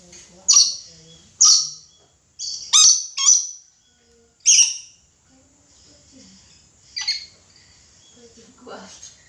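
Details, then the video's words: Chatty red lory uttering five loud, harsh, broadband screeches about one second apart, each abrupt and rasping, followed by softer scratchy squawks and a low nasal note in a quiet room. "Suara asli nuri red lory gacor"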